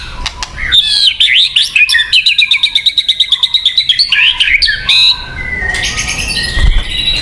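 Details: White-rumped shama singing as a lure for birds; high warbled phrases, then a fast even rattle of notes about six per second, followed by thin sliding whistles.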